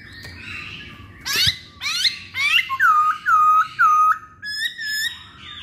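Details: Masked laughingthrush (poksay Hongkong) in a lure recording: rising sweeping whistles repeated about twice a second, then a row of four clear ringing notes, and a final burst of bright short whistles.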